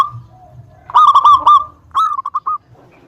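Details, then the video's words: Zebra dove, a local Indonesian bird in full voice, singing to draw rivals into replying. A burst of rapid fluted notes follows a quiet opening, then a shorter run of staccato coos. "Suara Pancingan Perkutut Lokal Gacor Suara Paling disukai Memancing Lawan Langsung NYAUT"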